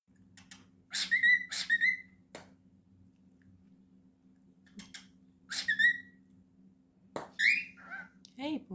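A cockatiel mimics human speech in short, squeaky phrases like "good boy" and "hey boy" indoors.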